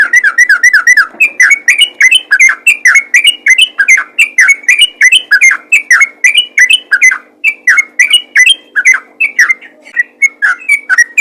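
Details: Yellow-vented bulbul in strong voice, calling to other bulbuls: a continuous, slightly irregular chatter of sharp chirps, each dipping in pitch, several per second throughout, with a faint background hum.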